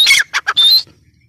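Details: One brief grey francolin (teetar) phrase: a harsh squawk, two short clipped notes, then a longer rasping note with a thin whistle, ending abruptly into quiet.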